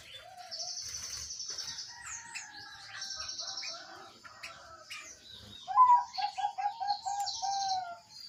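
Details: Zebra dove song played as a lure to prompt a silent caged bird to sing: a quick run of about eight low staccato cooing notes near the end, over busy high chirping and twittering from other small birds throughout.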